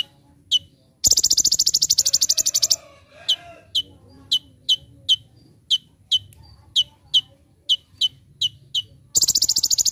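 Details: Sunbird master recording for training birds, full rapid-fire song: sharp high chips repeated about twice a second, broken by two long buzzy rattling trills at start and end.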